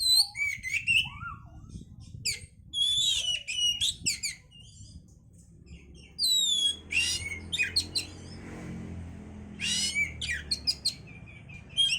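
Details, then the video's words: Oriental magpie-robin song for stimulating breeding condition, a long varied stream of whistles, trills, slurred notes and harsh buzzy bursts, with background rumble in the second half. "pancingan suara Kacer untuk mendongkrak birahi"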